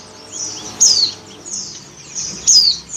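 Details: Oriental white-eye female in breeding condition summoning the male with two high, piercing downslurred whistles about 1.7 seconds apart over faint twittering.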